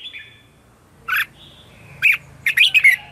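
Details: Morning song of a red-whiskered bulbul used as a lure: single loud chirps spaced apart, ending in a quick run of bright warbled notes.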